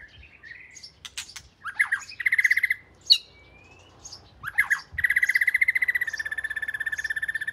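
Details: Oriental magpie-robin (binla), a household's first bird, of southern Thai type, mixes harsh clicks and chattering notes with loud buzzy trilled phrases, a sharp high note, and a long steady rattling trill at the close.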